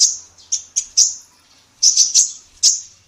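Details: Female sunbird in a songbird tutor recording, uttering sharp, very high single and clustered chirps with ringing, fading tails, spaced irregularly, against a faint low hum.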